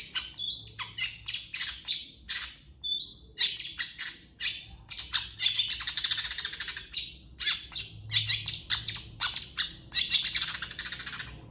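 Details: Long-tailed shrike master song for training birds: clipped chirps and brief whistles alternating with long dry, rattling trills, a varied and energetic sequence lasting over ten seconds.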